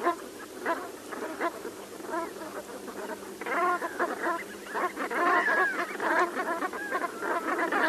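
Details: Brant geese chattering as a group, many low rough honks blending into a steady murmur that grows busier and louder in the second half.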